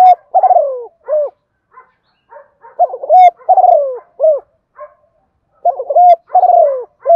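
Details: Decoy spotted dove cooing at sunrise to call wild doves into answering, giọng đồng pha style; three low rhythmic phrases in quick succession, each with rapid opening notes, a long falling coo and a short closing coo, faint chirps between.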